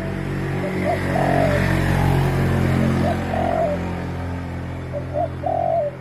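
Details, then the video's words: Spotted dove giving soft, low cooing phrases, short clipped notes followed by a longer drawn coo, repeated roughly every two seconds over a steady indoor-sounding hum. "spotted dove sound"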